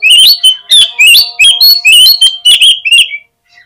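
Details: Lure song of an Oriental magpie-robin to draw responses and tail-spreading: continuous loud, fast, sweeping whistles and sharp twitters for three seconds, then sudden silence.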